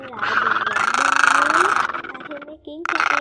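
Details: Great egret, likely black-billed, used as a lure for night net-trapping of migrating birds. It gives harsh, raspy croaks in a long grating burst, then a short pause and a second rough outburst.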